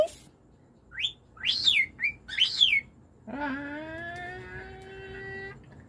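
A cockatiel whistles a few quick rising and falling notes, followed by a long, low, voice-like tone.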